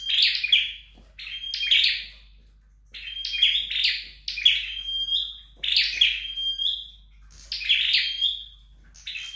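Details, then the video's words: Flowerpecker training at home: a series of short, high, twittering bursts with brief sustained whistles, repeated every second or so, with a longer pause near the middle. "Dợt Sâu Đầu Đỏ Tại Nhà"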